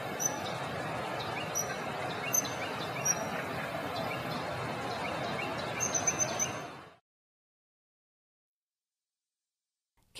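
Thin, high, piercing whistled notes from a Common Kingfisher, single or in quick short bursts, over a steady rush of running water, which then falls silent.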